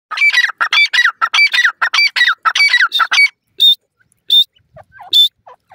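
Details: Francolin chick in the forest: a rapid run of harsh, squawky, harmonic notes for about three seconds, then three sharper, higher single notes spaced under a second apart, with a few faint soft peeps between.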